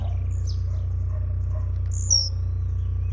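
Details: Blue-black grassquit at a singing tournament, a jumping-display bird, gives one quick high phrase that slides downward with a buzz after a string of fine ticks. A steady low hum is present.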